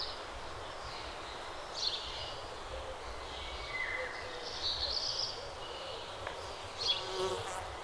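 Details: Early-morning birds give sparse, quick high chirps and one short level whistle, barely above a constant hissing, rumbling ambient noise.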